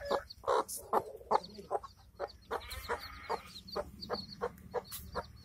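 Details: Hen with chicks in a village: a few louder clucks at the start, then softer spaced clucks and high chick cheeps over a murmur of background noise.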